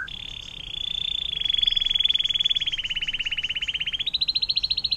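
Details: Atlantic canary singing a long 'air mancuran' (water fountain) style song, used as a tutor recording for other songbirds: a fast, steady roll of rapid notes, gently falling in pitch, then jumping to a higher, faster trill near the end.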